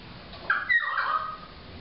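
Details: Pied currawong in Byron Bay, NSW, Australia, crying: a single loud, ringing, slightly wavering call lasting under a second, over faint hiss.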